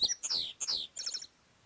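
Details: An Indigo Bunting sings from an exposed forest-edge perch in the Ozarks spring dawn chorus, near sunrise: sharp chips, two bright down-slurred notes, then a brief buzzy flourish.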